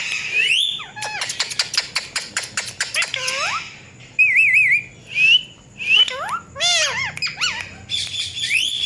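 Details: Rapid tapping clicks from a pet Indian ringneck parakeet known for a cat-like voice lead into wavering, trilled whistles and bowed, meow-like calls, with rising whistled notes toward the end.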